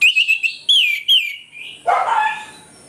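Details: Orange-headed thrush in ngeplong song at morning, a lure meant to anger other birds: quick clear whistled notes repeated rapidly, two longer slurred whistles, then a rougher, lower burst.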